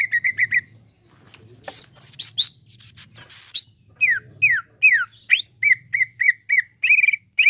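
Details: Cucak ijo (leafbird) lure song to encourage a caged bird to sing: quick whistled notes, a burst of harsh scratchy chatter, then steeply falling whistled slurs and evenly repeated clear notes, over a soft low hum.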